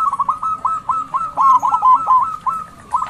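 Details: Loud local zebra dove kept as a lure for other doves, giving a steady stream of short, bubbling coo notes. Each note rises and falls, strung together rapidly for the whole stretch.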